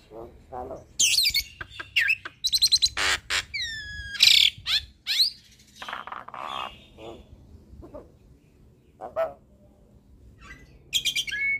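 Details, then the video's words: Hybrid starling (jalak silangan) singing energetically as tutor material for other songbirds: bursts of harsh rasping notes, descending whistled sweeps and high chattering, broken by short pauses, with quieter spells late on. "Jalak Silangan gacor Full Isian Pas Untuk Masteran Jalak Suren dan Burung Kicau lainnya"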